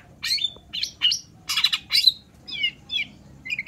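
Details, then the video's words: Long-tailed shrike (cendet) song used to coax quiet shrikes into answering: separate harsh, scratchy phrases with some whistled tones, then softer, descending notes near the end. "PANCINGAN CENDET SUSAH BUNYI PASTI LANGSUNG NYAUT DAN IKUT GACOR DENGAR SUARA CENDET GACOR INI"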